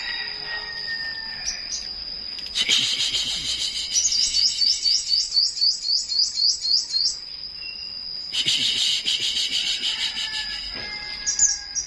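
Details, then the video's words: Flowerpecker in the morning giving a fast run of about a dozen high, bright chirps in rapid succession amid rustling bursts, with lower whistles before and a steady thin whine throughout. "Buổi Sáng Google Maps Hệ Thống Nghệ Thuật Đam Mê Chim Sâu Hót"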